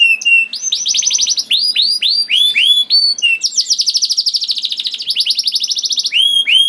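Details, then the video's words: Young canary (kenari paud) song used to prompt reluctant canaries to sing: loud, rapid rolling trills of sweeping high whistled notes, repeated several per second in long continuous phrases, with bright chirps above. "PANCINGAN KENARI PAUD TERBUKTI AMPUH MEMANCING KENARI SUSAH BUNYI IKUT GACOR"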